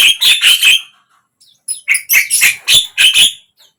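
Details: Harsh, buzzy bursts from a Javan myna, played to prompt a quiet bird to sing. A rapid cluster of three rasping notes, a brief pause, then a rhythmic run of about six scratchy squawks.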